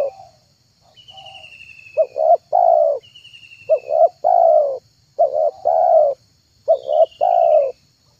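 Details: Spotted dove (tekukur) lure recording, meant to draw in trained, wild, or mute doves: low coo phrases, each a short note then a longer rolling coo, repeated about every 1.5 seconds, with thin descending high whistles and a faint steady high hum.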